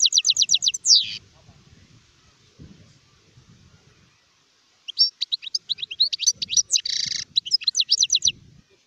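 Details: Adult European goldfinch sings a rapid series of repeated high chips, a slurred descending note, then a second tinkling twittering phrase containing a nasal buzz.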